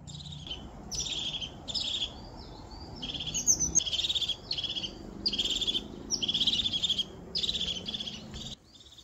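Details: A wild crested tit in the upper Val di Cembra, Trentino, gives rapid high, thin notes running into short buzzy, purring trills, repeated about every second, over soft background hiss.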